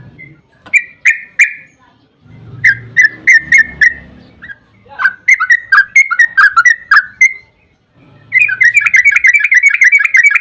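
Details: Yellow-vented bulbul lure song in long 'ropel' style to make other bulbuls reply: separate whistled notes, then a jumbled rapid run over a low rumble, ending in a fast, dense trill of chirps.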